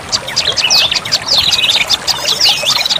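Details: Lure call of olive-backed tailorbird: rapid, overlapping high twittering with swooping whistled notes and quick chips, busy and unbroken throughout.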